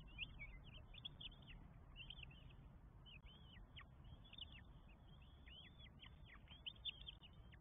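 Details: Northern goshawk nestlings, four chicks, begging while fed at their nest in Estonia, 24 May 2022: a rapid, continuous chorus of high, thin down-slurred squeals repeated over and over, against a constant low rumble.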